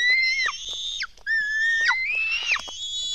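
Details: Feeding time at a black stork nest in Latvia, 24 June 2016, early morning: long, steady, whistled squeals that bend sharply downward at their ends, overlapping from more than one chick.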